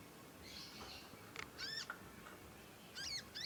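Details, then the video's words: Young conin learning to sing: a breathy rasp, then arched harmonic chirps with a quick, twittering doubled chirp near the end. "ANAKAN CONIN, NYECET PANJANG BELAJAR BUNYI & GACOR"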